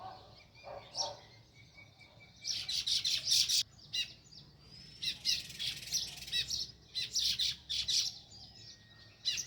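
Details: Sparrow near its nest in a village, giving loud high chirps in dense clustered bursts. A few thin whistled notes and softer chirps fill the gaps, with a quiet low background hum.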